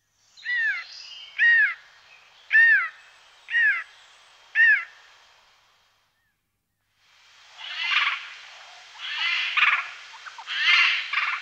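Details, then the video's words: Eurasian jay in the morning in the Wittlich valley, Germany, 2018. Five stacked, downward-sweeping harmonic notes about once a second, a pause, then three harsh, rasping screeches. "Eichelhäher am Morgen 1"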